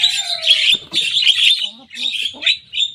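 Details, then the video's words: Young Javan myna song imitating rivals: bursts of harsh, squeaky high chatter over a falling low whistle, broken by short gaps, with a few lower croaking notes between phrases. "Jalak kebo muda gacor bongkar suara lawan"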